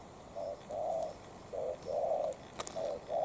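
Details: Spotted dove decoy challenging a wild dove: short and longer soft hollow coos alternating in a quick phrase, clear against quiet background.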